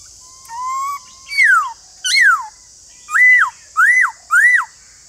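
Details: A white-cheeked laughingthrush sings a soft rising whistle, two loud down-slurred notes, then three evenly spaced arched whistles that rise and fall steeply, above continuous high hiss.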